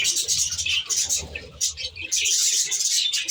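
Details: Budgerigars in an aviary giving a short burst of shrill, overlapping chirps and warbled notes that dip briefly mid-way, over faint low cooing.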